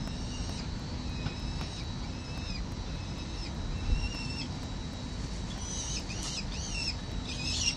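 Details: A pre-fledging peregrine falcon chick and parents at a 367 Collins St. ledge, 17 November 2024, on a nest camera. Faint arched whistled calls repeat about every second over a deep city rumble, then grow louder into harsh, rapid squealing notes near the end.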